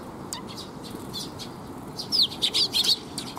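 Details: Several sparrows arriving to be fed, recorded 19 June 2021 by a bridge, give a rapid burst of bright, wavering chirps in the final second and a half after faint scattered notes, with steady low background roar.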